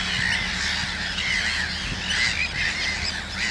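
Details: Near chicks a few days old in the Gothenburg archipelago, common terns give rasping, scratchy cries that run together in a steady noisy chorus, with a soft low rumble of wind.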